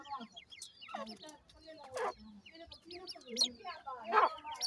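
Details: Grey francolin chicks, known locally as Dakhni titer babies, with an adult: busy strings of thin, high, falling peeps, broken by a few rough clucks and a louder harsh burst near the end.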